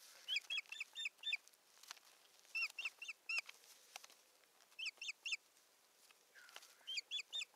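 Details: At a Satakunta nest in Finland, 7 May 2019, an osprey bringing a twig gives bursts of three to four sharp, slightly falling whistled chirps, with short pauses between bursts, seen on a live nest camera.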